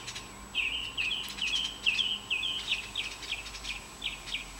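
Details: Five young Bluebirds at the nest between hatching and fledging, June to July 2019: rapid, insistent series of short, high, sliding chirps, more than two per second and overlapping, loud and continuous over soft hiss.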